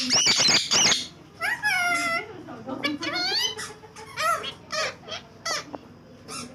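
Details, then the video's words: Pet green ringneck parakeet kept indoors, talking and mimicking speech: clipped chattering syllables and rising-falling harmonic whistles in bursts, with a woman's voice and background music nearby. "My Funny Green Talking Parrot |Parrots Speaking"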